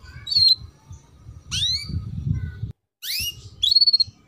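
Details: Female canary chirps used as a singing lure for young canaries: a short whistled note, then two sweeping high chirps and a rapid fluttering trill, with low rumbling noise beneath and a brief cut of silence.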